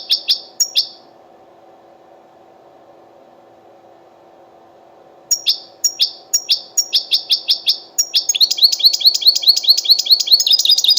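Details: Wild European goldfinch singing in the 'betbeta' style, associated with Qurai'a's Sunday bird market: a few high chirps, a long pause, then evenly spaced sharp notes building into a rapid, dense twittering trill.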